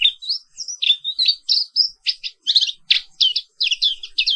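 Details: Black-capped white-eye from Indonesia in a morning rolling song: sweet rising whistles give way to dense bursts of rapid, buzzy chirps, about four to five notes each second, with a clean background.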